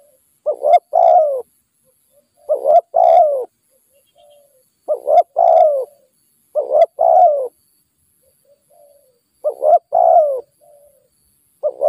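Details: Wild spotted dove lured by a decoy, cooing steadily. Five paired phrases, each a short hiccuping note and a falling drawn coo, come every two to three seconds, with soft low coos between them.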